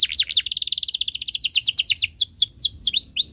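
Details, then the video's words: Canary song used as a tutor recording for young birds learning to sing: rapid series of high, downward-sweeping whistled notes, some paired, repeated many times per second, with longer drawn-out chirps toward the end. "Suara Burung Kenari ● Masteran Kenari Paud Belajar Bunyi | Kenari Gacor Cuit Cuit Panjang"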